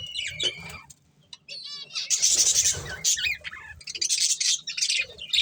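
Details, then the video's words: Breeding pair of budgerigars giving quick high chirps and a buzzy, ringing squawk early on, a short quiet gap, then rapid scratchy warbling chatter that swells and fades in bursts. "Cute Budgies Chirping Sounds"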